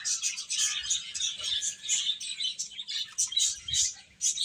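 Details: Crowd of chicken chicks making constant thin, high cheeping, short notes piled on each other in a lively unbroken chorus.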